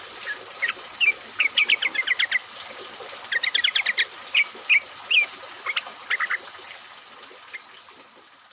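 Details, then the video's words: Flock of yellow-vented bulbuls sung as a lure to make others sing, taped even in rain; rapid rattling runs of clear whistled notes alternate with single sharp chirps, then fade to quiet hiss after six seconds. "pancingan trucuk agar bunyi, pancingan trucuk ombyokan, trucuk gacor!"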